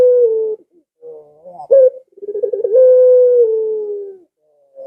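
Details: Barbary dove call used to draw pet doves kept at home into answering: a short low coo, a brief upward-flicking note, then a rolling pulsed trill flowing into a sustained, gently falling coo lasting over a second.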